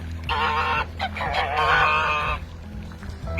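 A domestic goose gives harsh, nasal honks, one short and one drawn-out and wavering, over a steady low hum in the background.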